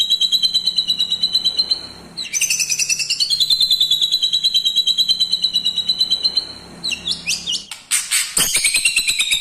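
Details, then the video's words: White-rumped shama song filled with imitations of lovebird, kapas tembak and cucak jenggot: a long buzzy trilled note held high, then a rising and falling warbled phrase, ending in sharp rapid upsweeping notes and clicks. "MURAI BATU MEWAH ISIAN FULL LOVE BIRD,KAPAS TEMBAK,CUCAK JENGGOT"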